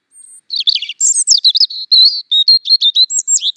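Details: European robin singing: a rapid run of high, thin warbled phrases with quick up-and-down slurs and trills, opening with a faint drawn-out whistle, no other sounds.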